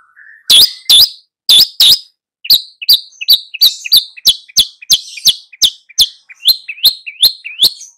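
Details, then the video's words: Long-tailed shrike singing vigorously while training two young birds; a fast series of sharp, high, down-slurred notes repeated nearly three times per second, opening with a few harsher bursts. "SUHU CENDET FULL GACOR MELATIH 2 MURIDNYA"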